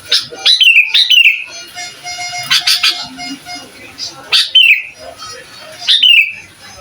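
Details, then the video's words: Sooty-headed bulbul singing loudly, a master recording meant to provoke other bulbuls: short whistled phrases that slide down, repeated about every one to two seconds, with fainter chirps and a steady high hiss between. "Suara Asli Burung Kutilang Gacor Bikin Emosi Kutilang Lain"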